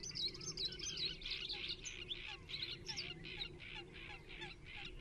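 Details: Water rail recorded in January 2022 at Rutland Water Nature Reserve, delivering a rapid series of harsh, scratchy pulses, about two to three per second, over a soft background of other bird notes.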